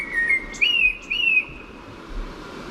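A male Common Blackbird sings a few clear, fluting whistled phrases that rise and dip, over a low background hiss.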